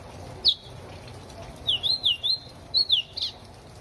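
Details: Ultramarine grosbeak perched on a hand in the rain in João Pessoa, Brazil, sings one high downslurred note, then a phrase of clear whistled notes that alternately rise and fall. Steady rain hiss sounds throughout.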